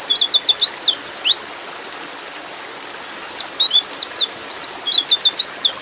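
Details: A female white-eye in breeding condition calls for a male. Quick runs of sharp, high twittering notes, some sweeping up or down, come in two bursts split by a quiet gap, with constant soft hiss behind.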